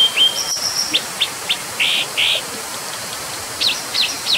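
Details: Brown Dipper giving short, sharp, high notes, first single clicks, then two longer buzzy bursts around the middle, and a quick trio of thin, high notes near the end, over a soft background hiss.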